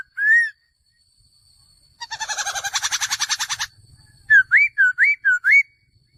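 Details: Male laughingthrush: a single rising whistle, then a long rapid burst of rich chattering notes, followed by five quick upslurred whistles in a row.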